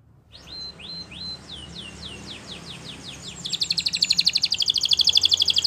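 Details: Belgian canary song for training: quiet rising whistles then faster descending slurred notes building into a loud, rapid rattling trill, over a faint low background hum.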